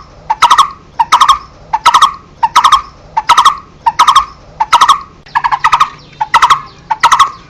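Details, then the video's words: Barbet giving its standard call: a series of short, hollow, knocking notes in clusters of two or three, repeated steadily about every three-quarters of a second, with a low background hum. "Tiếng Chim Cu Rốc Kêu CHUẨN"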